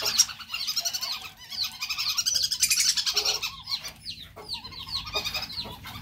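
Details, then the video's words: Male whistling duck calls used as a lure: dense overlapping high whistled chirps and short sliding notes, rapid and irregular, forming a busy flock-like chatter throughout. "pikat belibis jantan"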